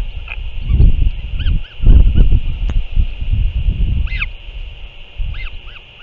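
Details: Northern royal albatross, on 6 April 2024, returned and feeding, gives short, harsh honking calls in scattered bursts under heavy low wind rumble and a steady high hiss.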